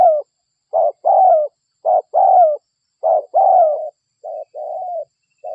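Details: Spotted dove (derkuku, local type) calling actively for use as a lure: a steady series of short and long husky coos, several phrases about a second apart, in low muffled tones.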